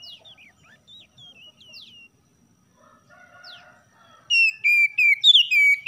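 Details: Morning oriental magpie-robin song used to rouse a lazy caged bird into singing: varied short slurred whistles at first, then loud, ringing whistled phrases repeated about four times per second in the final two seconds.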